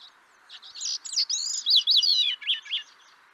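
A Grey-cheeked thrush sings one thin, fluty phrase of quick ringing notes that swirl and slide downward over about two seconds, over a faint steady hiss.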